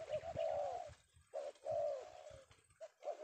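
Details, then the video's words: Male spotted dove (tekukur) of the prized penguku style, caught one afternoon in Indonesia: mid-pitched, slightly falling coos in short phrases separated by pauses, with low thumping handling noise beneath. "Target Penguku berhasil kita amankan idaman para pemikat"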